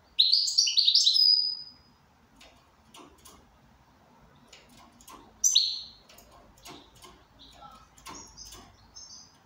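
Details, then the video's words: Goldfinch in good condition giving two short bursts of high, twittering song, followed by scattered clicks and taps and a few thin, high whistled notes near the end. "Switty goldfinch"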